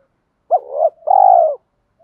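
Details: Spotted dove lure call for provoking males: one phrase of a quick upswept note easing into a coo, then a longer level throaty coo.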